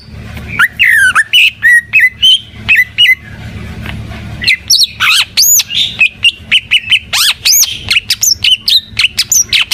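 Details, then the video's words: Greater green leafbird in full gacor song. Chattering whistles and sharp upslurred notes come in quick runs. A brief lull follows, then a denser, higher burst of rising and arching whistles. "Suara Burung Cucak IJO FULL Gacor"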